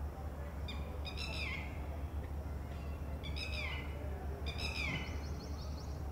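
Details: Red-wattled Lapwing female sounding warning calls toward a freshly hatched chick at the ground nest while predators may lurk; three separate bursts of harsh, ringing notes sliding downward, spaced about two seconds apart, with low background rumble.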